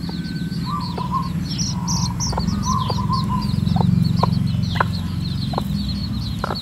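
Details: Red junglefowl chicks with their mother as she leads them to feed in natural surroundings. There is dense, high-pitched chick cheeping with a few soft clucks and sharp clicks. Steady mid-pitched tones run under a strong low background rumble.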